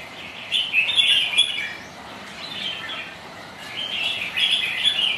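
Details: Red-whiskered bulbuls sparring as rivals in rainy weather: two clusters of rapid, chattering whistled notes, a quiet gap between, steady background hiss.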